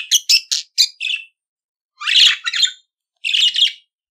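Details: Budgerigar song: bursts of scratchy, chattering high chirps in quick clusters, a run of five short notes, then pauses and two further warbling groups, in a quiet indoor setting.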